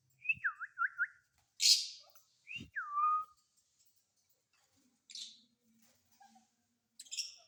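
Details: Rose-ringed parakeet kept as a pet and just out of its cage makes looping whistles, a raspy screech, then a long downward-sliding whistle, followed by scattered soft harsh notes and faint knocks.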